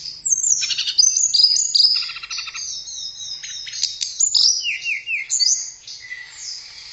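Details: Continuous bright song from a blue flycatcher (tledekan): thin high twittering with a buzzy trilled passage and later a run of quick rising whistles.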